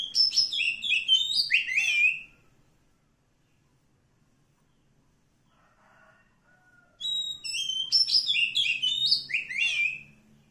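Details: Wild Oriental magpie-robin from the forest gives two bursts of rapid, varied whistled notes that slur downward in cascading steps, separated by several seconds of near silence.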